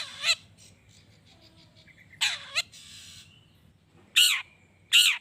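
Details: Long-tailed shrike calling to provoke other shrikes: scattered harsh, nasal rasping notes, single and paired, with soft chattering and a thin whistle in the gaps.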